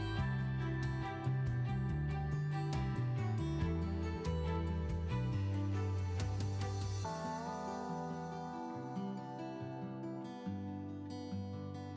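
Soft instrumental music with plucked guitar-like notes and steady low tones; no animal calls are heard.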